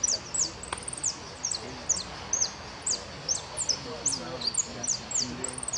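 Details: Goldfinch singing at the Federación Irupé cup competition, white category without close, 22-02-15: rapid sharp, very high downslurred chirps and whistles in steady short bursts, with faint background murmur.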